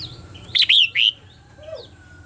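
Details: Red-whiskered bulbul singing as a training decoy for contest birds: three loud, rich whistled notes in quick succession, swooping up and down, followed by faint softer chirps and a low hum.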